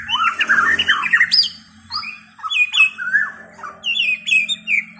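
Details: White-rumped shama giving slurred, warbling whistles and quick rising notes, some phrases sweeping high, in bursts separated by brief gaps over a faint low hum.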